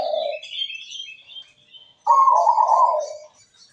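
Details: Zebra dove in full song with a melodious voice. A thin high chirping comes first, then a loud, rolling, bubbly coo phrase at a low-mid pitch.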